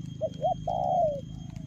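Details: Spotted dove giving a fast 'lèo gù' coo: two short clipped notes, then one drawn-out, mellow note that slowly falls in pitch, against a low background hum.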